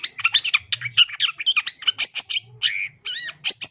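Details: Energetic song of a long-tailed shrike full of imitated sounds: a nonstop stream of dry, clipped chirps and harsh chatters, broken by a drawn-out buzzy note and a few arching whistled slurs toward the end.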